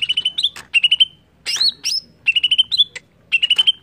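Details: Greater green leafbird song meant to provoke singing: short rapid trills of clear whistled notes repeating in runs, broken by upward-swept whistles and harsh noisy chips.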